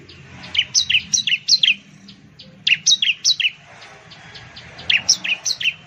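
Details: Bar-winged prinia, the Javan perenjak or ciblek found in Indonesian gardens and fields, sings three phrases of five or six bright, downward-slurred chirps delivered quickly, separated by short pauses, over a soft low hum.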